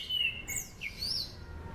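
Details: Orange-banded thrush song used as a lure for training other songbirds: clear high whistled notes, a level whistle followed by sweeping, swooping slurs, over a faint low background hum.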